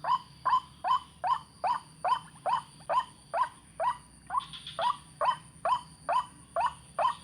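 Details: White-breasted waterhen calling in a rhythmic run of rough, nasal croaks repeated a little over twice per second, slightly uneven in spacing, with one brief higher buzzy note mixed in midway and a low steady hum beneath.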